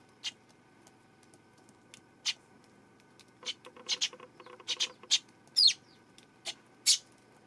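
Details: Eurasian tree sparrow on 12 September: short, sharp, high chirps scattered irregularly, some single and some in quick pairs, with one brief rising-then-falling squeak near the middle over a quiet, faint hum.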